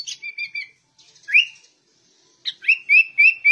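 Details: Sooty-headed bulbul song in the ngegaruda style: a short warbled phrase, one loud rising whistle after a gap, then a quick run of bright upslurred notes.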